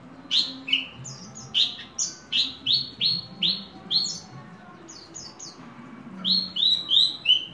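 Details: A ringed, hobby-kept Horsfield's bush lark sings a brisk run of sweet, downslurred whistled notes with thin high chips, about three per second, breaking off briefly before resuming over a faint low hum.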